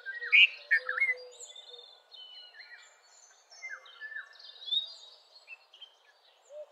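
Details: Red-vented bulbul opens with a few loud, warbling notes, then softer scattered whistles and chirps follow amid light background noise and other distant birds.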